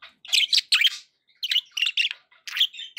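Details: Pet budgerigars making happy sounds: bright, scratchy chirps in quick clusters, three bursts of two to four notes separated by short silences, with no other noise present.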